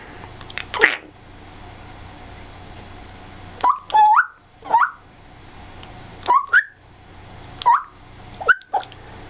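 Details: African grey parrot kept as a pet, being silly: after a harsh opening squawk come four short two-part whistles, each a quick rising slur, repeated every second or two against a quiet indoor background.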